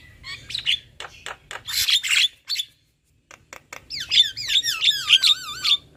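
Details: Javan myna pair, male and female, singing together: buzzy chattering notes, a brief pause, then a fast series of wavering, looping whistles repeated about twice a second.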